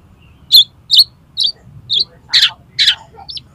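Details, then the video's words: Oriental magpie-robin song used to spur contest birds into singing: a rapid series of buzzy, harsh chirps about every half second, growing louder and rougher, then ending on a thin whistled note. "SUARA KACER INI COCOK UNTUK MASTERAN DAN PANCINGAN KACER LOMBA AGAR MAU BUKA PARUH"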